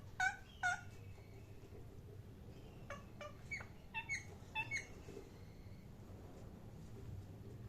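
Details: Parrot giving two loud sharp chirps, then a quick series of whistled, slurred chirps, with a steady low hum throughout and quiet at the end.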